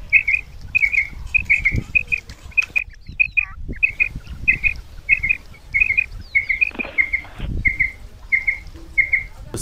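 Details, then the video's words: Female common quail, batair, calling in Punjab, Pakistan, sound used as a hunting lure: steady run of short paired chirping notes roughly every half second, with a brief gap and outdoor rustling throughout. "Hunting with sounds of female"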